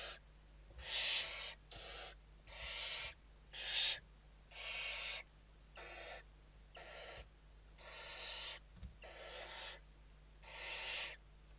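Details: Western barn owls inside a nest in Spain during evening feeding on 29 November 2023: a series of loud, harsh, breathy hissing screeches, each about half a second long, repeated with short gaps and varying in strength.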